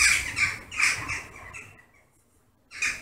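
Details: Western jackdaws collecting at their evening roost in August; quick run of short, rasping calls that tails off into near silence, then a fresh burst of calls at the end.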